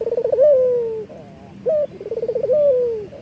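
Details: Local Eurasian collared dove cooing as a lure for training other birds: a short clipped note, a rapid bubbling roll, then a long drawn-out descending coo, repeated twice.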